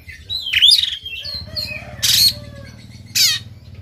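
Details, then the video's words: An Oriental magpie-robin in a stubborn fight with its tail open. It sings rough shot-like notes: a rasping burst with a rising whistle, several short clear whistles, then two more loud harsh bursts. "KACER NGOTOT TARUNG BUKA EKOR SUARA TEMBAKAN KASAR"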